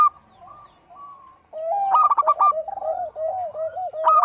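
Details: Local zebra dove singing lively: after a quiet, faint opening, bright rapid bursts of clipped cooing notes tumble out near the middle, backed by a lower run of soft bubbling coos that continues to the end.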